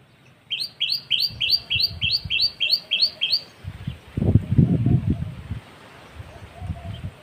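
A common tailorbird gives about nine loud, sharp, upslurred notes, roughly three per second, over low rumbling background noise.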